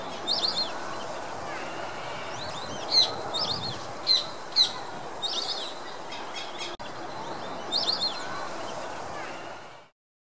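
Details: A flock of white-faced whistling ducks on a lake in Curitiba, Brazil, gives high, clear three-note whistles in scattered bursts over a steady hiss of background noise.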